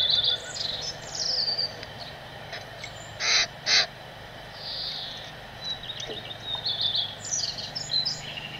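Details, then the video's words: Birds chirping during bathing and feeding: high thin chirps and twitters throughout, two loud broadband splash-like bursts in the middle, and busier chirping toward the end over faint low hum. "Sounds of playful birds chirping, bathing and chewing food"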